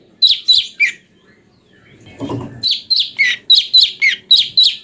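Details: Cucak cungko (brown-breasted bulbul) song variation for magpie-robin masters: three sharp chirps, a short pause with a soft rustle, then about ten more bright chirps in a brisk, even rhythm.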